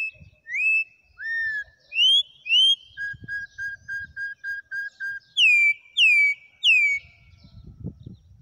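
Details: A campo troupial sings a wild song: swooping whistles, then eight short, evenly spaced piping notes, then three strong downslurred whistles, with a quiet background.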